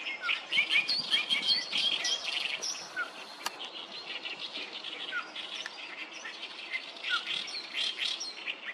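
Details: Many oriental reed warblers singing loudly at the Sawatari River, 7 June 2024; rasping, croaking phrases repeat rapidly and overlap, loudest in the first two seconds, with occasional brief slurred whistles behind.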